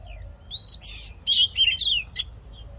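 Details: Oriental magpie-robin fighting song used to train a caged bird's voice and fire up males: a rapid run of loud, clear whistled phrases, some sliding downward, mixed with short buzzy and chattering notes in quick bursts, then quiet.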